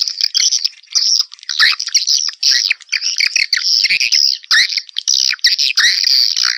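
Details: Swiftlet calls played to attract swiftlets, heard as sharp, high chirps and squeaky twitters in quick irregular bursts, several overlapping, with short gaps between clusters.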